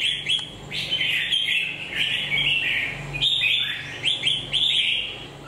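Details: A red-legged red-whiskered bulbul with a moulting beak pours out a dense, jaunty warble of whistled notes, with little pause between phrases.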